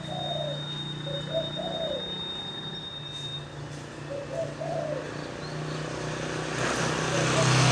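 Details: Wild-origin local zebra dove (perkutut) in a 'dor tak kowor-kowor' singing bout: a few short, soft, bubbling coos in two groups over a steady low electrical hum. Broadband rushing noise builds toward the end.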